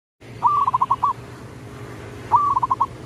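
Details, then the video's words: Local zebra dove used as a lure to call rivals: two mid-pitched cooing phrases, each a short drawn note followed by a quick stutter of five or six clipped coos, roughly two seconds apart, over low rumbling background noise. "suara pikat paling ampuh memanggil lawan"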